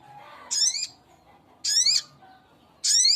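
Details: A male little spiderhunter calls for a female with three strident, scratchy, high notes, each about a third of a second long and roughly a second apart, against a quiet hum.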